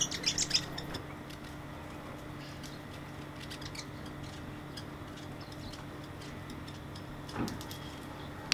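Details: A New Zealand fantail (pīwakawaka) hanging around a compost bin in a suburban neighbourhood during lockdown gives a quick burst of thin, high chirps at the start, then sparse faint ticks over a steady low hum.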